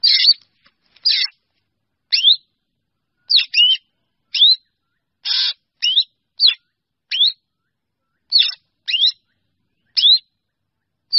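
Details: Calling to gather its flock, a Black Drongo gives about fifteen brief notes at an uneven pace of roughly one per second, mostly sharp rising whistled slurs mixed with a few harsh scratchy bursts.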